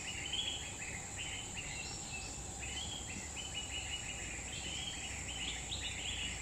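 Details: Wild grey-bellied bulbul in forest of Central Kalimantan, Borneo: quick runs of short, slurred chattering notes in the middle-high range, delivered in tight clusters, over a steady high-pitched insect drone.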